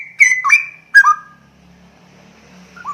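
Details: Straw-headed bulbul calling: a few loud, rich whistled notes, some sliding downward, with a sharp click-like attack, given in the first second. After that only a faint low hum and one short whistle near the end.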